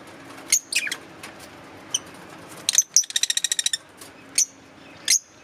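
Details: Green Fischer's lovebirds chirping, with piercing high chips and one fast rattling run of about ten clicky notes in the middle, followed by more spaced single chirps.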